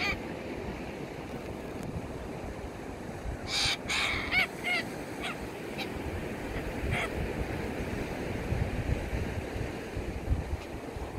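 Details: Yellow-crested cockatoos feeding at the ocean give a short burst of harsh, raspy screeches, then a single later squawk, over a steady rumble of surf.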